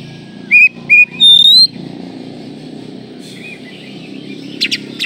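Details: Oriental magpie-robin (kacer) song for masteran training: three loud, clear whistled notes, the last a long rising whistle, then quieter twittering and brief buzzy notes over low background hum.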